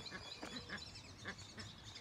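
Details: Orinoco goose at the National Aviary of Colombia, a mother with newborn young: three short, high, whistled notes about half a second apart over steady rustling background noise.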